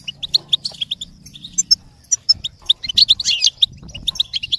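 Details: Goldfinch song: lively twittering of rapid high chirps and buzzy trills, building to a denser, louder burst after three seconds before easing to separate notes.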